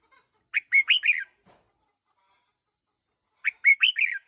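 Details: Decoy red-whiskered bulbul, aged one year, singing the same rapid four-note chirping phrase twice, each note sharply rising then sliding down, about three seconds apart in a quiet setting.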